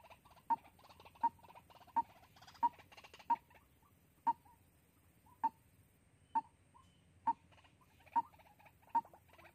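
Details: Recorded in Soc Trang, Vietnam, on 2 February 2021 as a trapping lure, white-breasted waterhen giving single hollow notes, quickly at first then spaced about one second apart, each sharp and short against a quiet background.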